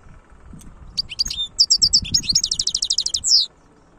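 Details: European goldfinch singing the khlouwi song type: scattered sharp high notes building into a fast, regular trill of bright twitters, closed by a drawn-out falling buzz.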